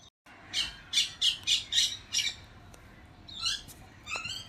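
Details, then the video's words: Parrots calling during monsoon rain: a series of about six harsh, high squawks roughly every third of a second, followed by a few scattered shorter screechy calls, over a steady hiss of rain. "Real parrots sounds with Monsoon rain."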